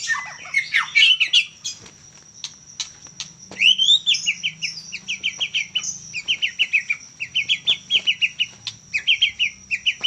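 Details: Juvenile white-rumped shama from Medan delivering a varied opening warble followed by a long series of short repeated chirpy phrases, each about half a second apart, with soft ticking in between.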